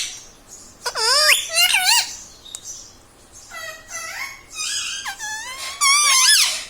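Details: Pet ringneck parrot indoors mimicking human words such as mummy, papa and radhe radhe; squeaky, high-pitched syllables with wavering harmonic contours in short bursts, pauses between phrases, quiet small-room background.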